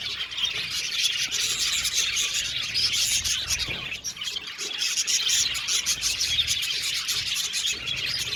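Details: Budgies in an aviary colony, continuous chorus of high chirps and warbles with occasional clicks, with a faint low rumble underneath.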